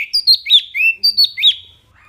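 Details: Wambi (mini) giving a short, clear phrase for songbird training: about six bright, slurred whistles, some rising and some dropping, in quick succession before stopping.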